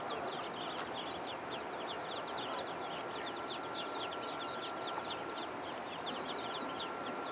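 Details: Pond ducklings keep up a dense, continuous twitter of tiny high descending peeps throughout, with a steady rushing background and a faint thin tone running underneath.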